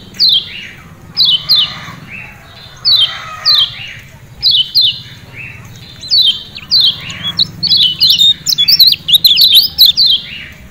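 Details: Kecial kuning, the lemon-bellied white-eye of Lombok, uttering ciak ciak calls played to make captive birds sing. Paired, piercing, descending chirps repeat steadily, then quicken into a busy, overlapping chatter near the end.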